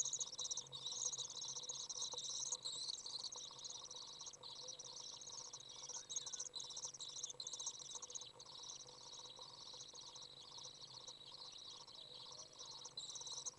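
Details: Fledged Common Swift young being fed by a parent on a very warm 30 °C day, 27 June 2011; an unbroken high, scratchy twitter with short gaps roughly every second, steady low hum beneath.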